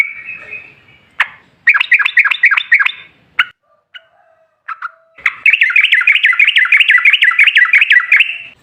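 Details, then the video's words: Yellow-vented bulbul giving a lively, long, rapid 'ropel' song, used as a lure to make other bulbuls sing back. A brief buzzy note opens, then bursts of fast bubbling, chattering notes follow. After a few gaps, a long unbroken rattling run of warbled notes continues to the end. "Suara TRUCUKAN GACOR Ropel Ngalas Pancingan Trucukan Agar Bunyi Jadikan Burung Trucuk Nyaut Seketika"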